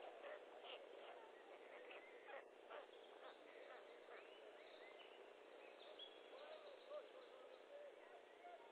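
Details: White stork chicks, four in the nest at feeding time on 5 May 2013 at 11:08, beg with a dense, steady chatter of hoarse, squeaky mewing notes, many short and rising, over a constant background hiss.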